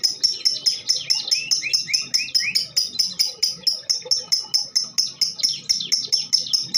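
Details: Female lovebird in a long-duration singing bout, used as a lure to get other birds singing: rapid, shrill chirps repeated about twice a second, with brief lower rising sweeps near the middle and faint low background rumble.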